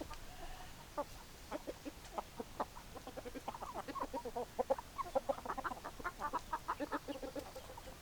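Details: Hens clucking: a flock giving short, repeated clucks, dense and overlapping, several per second, swelling in the middle and continuing steadily to the end.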